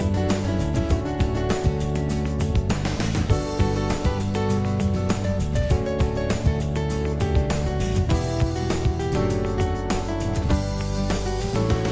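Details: Steady instrumental music with guitar and a strong low beat fills the whole stretch, with no animal voices heard.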